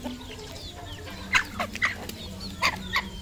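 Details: Red junglefowl decoy rooster, a domestic-kept bird, giving short clucking calls: several brief sharp notes spaced irregularly about every half second to second, over a steady low hum and faint background chirps.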